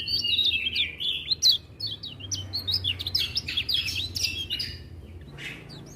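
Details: Lemon-bellied white-eye singing energetically, with other birds joining in; rapid high chirps and twittering phrases tumble over one another, with a low hum underneath.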